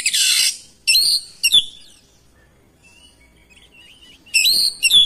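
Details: Oriental magpie-robin responding to another singing bird: a harsh rasping burst, then loud ringing whistled notes, a stretch of quiet soft warbles, and a final pair of bright whistles.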